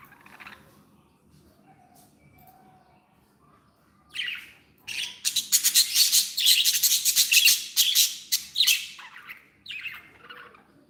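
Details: Happy pet budgerigars: scattered soft chirps, then a loud rapid run of buzzy scratchy notes repeated several times a second for about five seconds, tailing off into quieter twitters.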